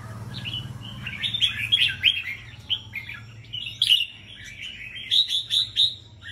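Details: Caged red-whiskered bulbuls in a rack singing competition in Buon Ma Thuot, Dak Lak, Vietnam: overlapping bursts of bright, warbled whistled phrases, some sharp rising notes, several birds sounding together, over a low steady hum.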